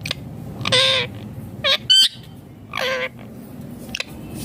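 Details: Ringneck green parrot uttering four short, nasal, speech-like syllables, with a brief higher chirp between them, loosely spaced over four seconds with quiet room hum behind.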